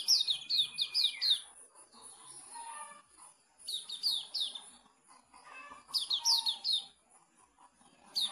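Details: Sooty-headed bulbul at a Pemalang songbird contest: a burst of rapid high descending notes ending in a sliding whistle, then quieter pauses broken by two more short bursts of bright chattering phrases.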